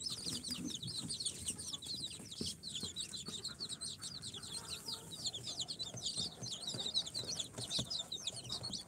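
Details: Incubator-hatched baby chicks on their fourth day, a mix of Sultan, Golden Sebright, Cochin and booted breeds, fill the air with rapid, overlapping shrill peeps, a continuous high chatter with faint low rustling beneath.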